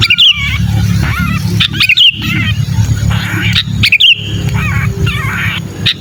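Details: Distress calling of a sooty-headed bulbul used to attract bulbuls: high, thin whistled flourishes alternating with rough chattering squawks, repeated through the stretch over a constant low hum.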